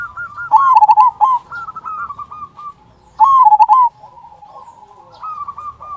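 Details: Local zebra dove with a strong "kung" note, used as a singing lure for other zebra doves: loud staccato coo bursts about three seconds apart, separated by softer, steady bubbling coos.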